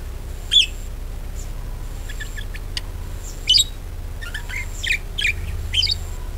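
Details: Lure calls of a budgerigar, used to stir other birds into singing: sparse sharp chirps and squeaks separated by gaps of a second or more, with scratchy chatter between and a low steady hum.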